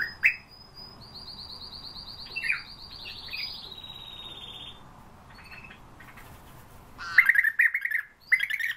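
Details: European bee-eater: rolling, trilled calls near the end, after a stretch of high, steady whistled tones from other birds.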